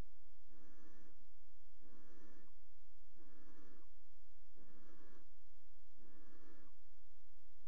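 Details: Barn owls pairing at a nest box inside a water tower, 5 February 2018. Five even, rasping hiss bursts, each about 0.6 seconds, repeat regularly every 1.3 seconds against low indoor hum.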